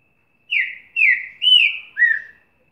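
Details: Green-winged saltator eager to sing, giving four rich whistled phrases in quick succession, each sliding downward, the last slightly lower, clean and without other sounds.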